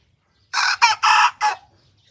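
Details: White Thai bantam rooster, a young bird learning to crow, in a village in Phon Thong, Roi Et, Thailand: a short, broken, harsh crow of four rough bursts over about one second, the third longest, in near silence.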